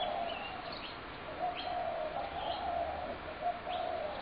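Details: Spotted doves, several birds being fed in a Brooklyn Park backyard on 6 November 2016, give low, soft rolling coos almost without pause, overlapped by thin high chirps from other birds.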